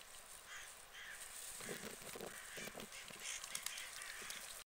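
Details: Common moorhen on a UK lake giving a short series of harsh, croaking notes over a steady hiss of wind or water.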